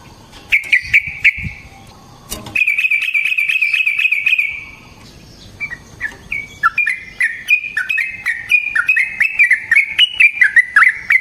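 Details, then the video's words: Long fighting song of a yellow-vented bulbul, used as a lure and master for training: a sustained buzzy trill, then chattering runs of bubbly whistled notes that rise and fall in quick succession. "Burung TRUCUKAN GACOR Ropel Panjang Cocok untuk PANCINGAN Trucuk bahan dan MASTERAN Burung Trucukan"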